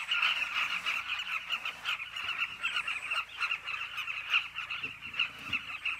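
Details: A massed chorus of carmine bee-eaters at a cliff nesting colony, with overlapping clipped, slightly nasal calls pulsing rapidly and unevenly with no pause across the whole stretch.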